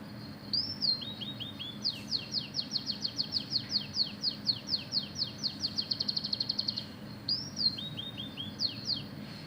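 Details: Oriental magpie-robin in full song with imitated canary phrases: a rising slurred whistle, then long rapid trains of high downward-sweeping notes speeding into a dense trill, ending with repeated whistled figures over a faint constant background hum.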